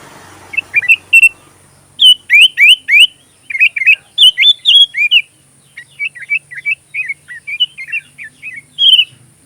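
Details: Sooty-headed bulbul singing energetically, recorded as filler song for magpie robins: repeated bursts of rapid slurred, bubbly whistled notes in uneven phrases, followed by a quieter run of chirps and one final whistle.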